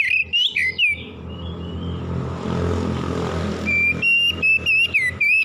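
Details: Morning song of an Oriental magpie-robin, meant for soothing stressed birds: bright slurred whistles open and close the passage, while a rumbling vehicle drowns the middle section.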